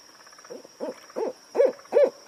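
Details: An owl at night gives a series of short, mid-pitched hoots about every half second, growing louder, over a faint steady high whine in the background.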